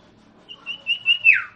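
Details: Common iora (sirtu, cipoh) song for luring a silent bird to respond: four short, stuttering whistled notes on one high pitch, ending in a sharp downward sweep.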